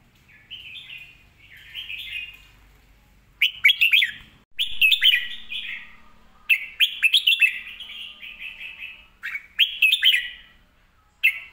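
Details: Red-whiskered bulbul with a clear, well-phrased song and quick, clean voice, giving a run of bright, bubbling warbled phrases, short bursts separated by brief pauses, over a quiet background.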